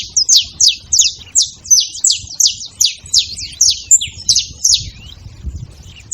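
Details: Several saffron finches calling together; a rapid series of sharp, high, downward-slurred chips, some overlapping, about one or two per second, over a faint low rumble.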